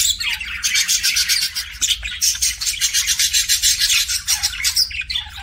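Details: Kissing sounds from a pet budgie: a rapid, steady train of short smacking clicks, several per second, running almost unbroken over the whole stretch.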